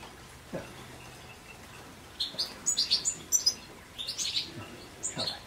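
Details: European goldfinch song: a quiet start, then a burst of quick, high, tinkling chirps and twitters, a short pause, and further twittering phrases near the end.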